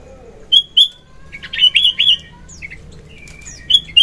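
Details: Sooty-headed bulbul in vigorous morning song, used for luring and tutoring: a pair of clear whistled notes, then a varied phrase of warbled, slurred notes, ending with fresh bright chirps.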